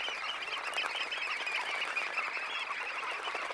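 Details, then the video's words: Close recording of some 20,000 red knots rising from a high tide roost; many short calls blend into a continuous chattering mass, with soft wing flutter beneath. "Red Knot. CU Sound Of About 20,000 Birds Taking Off From High Tide Roost. Calls"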